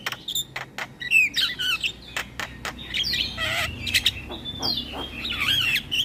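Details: Javan myna chatter, a lure for mynas and starlings. Rapid clicks alternate with burry, warbled squawks and short whistled notes in an uneven, excited stream.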